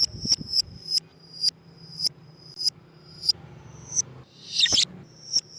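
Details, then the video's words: Lovebird chirps meant to attract lovebirds: a steady string of sharp, high, clipped chips, about two per second, broken once by a short, harsh squabbling burst, over low background hum. "MEMANCING BURUNG LOVEBIRD DENGAN SUARA BURUNG GACOR"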